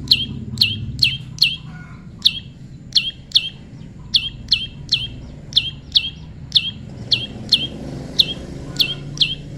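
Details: Prinia in natural pairing, tame, repeating crisp high downslurred chip notes, about twenty in under ten seconds, in short runs with brief pauses, over a constant low hum.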